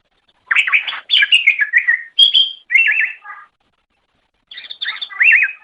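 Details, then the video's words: Cucak ijo (greater green leafbird) song used as training material for songbirds: jumbled fast twitters give way to clear looping whistled trills, then after a silence a few sharp notes and a wavering, rolling whistle. "Ocehan Suara Burung Cucak Ijo"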